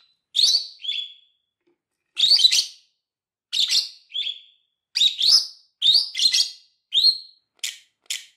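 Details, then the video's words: Lovebird singing and chirping for training other lovebirds: a run of rasping high chirp pairs, each often followed by a short clear whistle, growing denser toward the end with quick sharp clicks. "CANTO E PIADOS DE AGAPORNIS Para ENSINAR"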